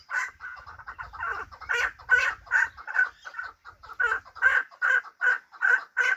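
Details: Fighting chukar partridge of hybrid stock calling a steady, rapid series of harsh chuk-chuk notes, roughly two to three per second, with soft low rumbling in the background during the first part.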